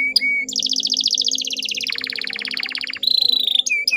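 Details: Female canary lure for prompting males to sing: short whistled notes framing a long fast buzzy roll that drops lower midway, then a bright high trill.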